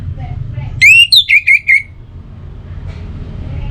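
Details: Orange-headed thrush, used as a morning and evening lure so birds sing more: one long rising whistle followed by four shorter downslurred whistles, set against a low background hum.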